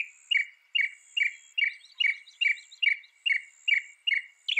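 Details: Northern mockingbird repeating one two-part chirped phrase about ten times in a row, roughly every half second, steady and loud.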